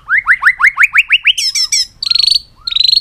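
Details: A cage-kept White-rumped shama sings an exciting multi-voiced song while beating its tail. Ten quick rising notes are repeated in a row, followed by buzzy rattling trills with short upslurred notes.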